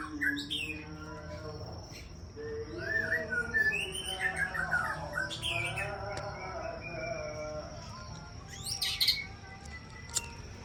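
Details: Aceh white-rumped shama, champion breeding stock, delivering a varied, jumbled run of chattering and whistled notes, busiest in the middle, with a short sharp burst near the end.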